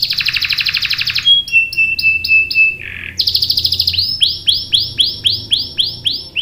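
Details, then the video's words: Lure song of a canary meant to make others sing along: a buzzy trill, thin steady whistled notes, then a long run of arched rising-falling notes, about two per second. "PANCINGAN KENARI GACOR cuit cuit bikin NYAUT ikut BUNYI NGEROL PANJANG ¦ CANARY SINGING"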